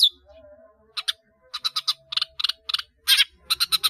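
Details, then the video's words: Caged long-tailed shrike singing a busy song with many fills, meant for training caged birds: grating, buzzy chatters in short bursts, grouped in twos and threes, growing denser toward the end. "CENDET GACOR ISIAN BANYAK"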